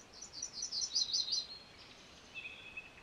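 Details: MacGillivray's warbler: a single energetic song of rapid, buzzy paired notes rising in loudness for about a second and a half, followed by a faint thin whistle in the background.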